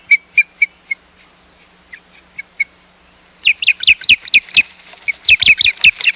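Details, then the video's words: Osprey at the Hog Island nest, 11 May 2021, while intruding ospreys visit: a few spaced sharp high chirps, a pause, then a loud excited run of harsh, rising chirps repeated quickly. "Intruding Ospreys"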